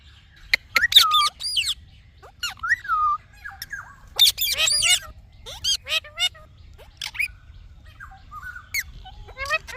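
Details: Talking Indian ringneck parakeet producing rapid, choppy speech-like chatter: sharp squawks, swooping nasal syllables and short harmonic phrases, delivered in irregular clusters across nearly ten seconds.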